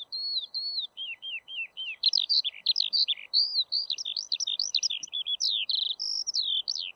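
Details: Eurasian skylark song, starting with level and falling whistled notes, then breaking into a rapid, jumbled warble of chirps, buzzes and slides that runs on without stopping; light background hiss.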